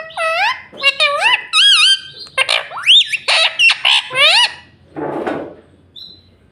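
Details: Tame talking parrot repeating "mummy" and "mitthu": a rapid run of about ten loud, harmonic, speech-like syllables with bending pitch, then a breathy rasp and a faint squeak.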